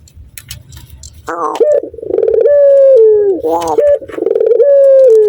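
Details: Male Barbary dove in breeding condition cooing on seeing a female: after a quiet second, loud mellow coos with short rising notes, then long steady tones that slide down at the end, with sharp clicks in the background.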